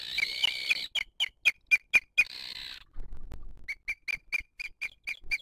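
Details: Booted eagle at a wild nest in 2023 while the female feeds the chick and other birds attack her: a rapid series of short, clear whistled notes at an even pitch, about four a second, split by a rushing noise burst.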